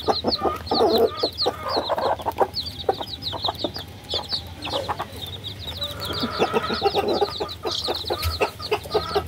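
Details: Many baby chickens chirping together: high, short, downslurred peeps in busy clusters, with softer lower twittering and tapping noises underneath.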